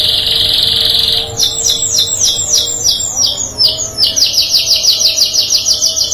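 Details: Canaries singing and answering one another: a sustained high buzzy note, then a run of quick descending chirps and a fast even trill of repeated downslurred notes, about three per second.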